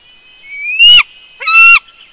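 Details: Bald eagle at its nest at Big Bear, early morning, picked up by a live nest camera: a thin whistle rising into two loud, harsh, strongly overtoned shrieks about half a second apart.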